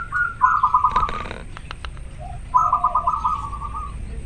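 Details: Zebra dove of a local strain, in breeding condition and singing steadily: two rolling, bubbling coo phrases several seconds apart, with a few faint clicks between them and a quiet background.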